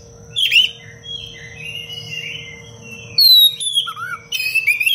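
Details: Oriental magpie-robin singing densely to serve as a training recording for other birds: soft warbled phrases, then a loud high whistled series that slides downward, followed by rapid chirping notes, over a faint steady hum.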